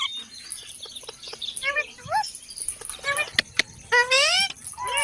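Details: Parrot talking in short, strongly harmonic vocal bursts with rising and falling inflections, a longer stacked phrase near the end, and faint clicks and background hiss between utterances.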